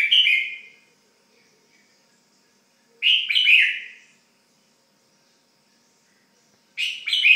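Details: Pet red-whiskered bulbul calling indoors: short warbled chirping phrases repeated roughly every three seconds, each a clear whistled start sliding into tumbling, downward-slurred notes, with silence between.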